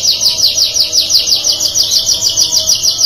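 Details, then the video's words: Singing canary, its song described as drawing a reply from other canaries within two seconds; a fast, even trill of short, high, slurred notes repeated about three times a second, steady throughout. "GAK BUTUH LAMA 2 DETIK KENARI LAIN RESPON | CANARY SINGING"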